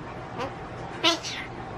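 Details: A pet male black-billed (North American) magpie mimics human speech in two quick, husky, voice-like syllables, the second louder and higher, over a quiet room hum; he says "peach, come here".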